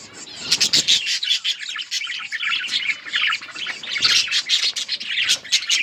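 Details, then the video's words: Budgerigars in a breeding colony give a busy flock chorus of bright, warbling chirps and harsh squawks, with sharp clicks and rustles in bursts. "Budgies parrot chirping sounds budgies birds enjoying in budgies colony"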